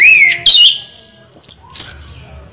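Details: Orange-headed thrush song fragment: a rising slurred whistle, a harsh buzzy note, then high warbled twitters and a squeaky flourish.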